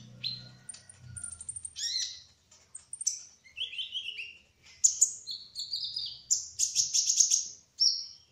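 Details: High, thin song of a spotted olive-backed sunbird in ngerol style: descending buzzy slurs and chirps build into a fast stream of sharp notes and rapid ticks.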